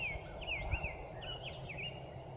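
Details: Early morning in late May in Nelson County, central Virginia: a farther-away Scarlet Tanager sings a run of short, slurred, slightly burry up-and-down phrases, about two per second. A clearer Summer Tanager also sings, over a low background rumble.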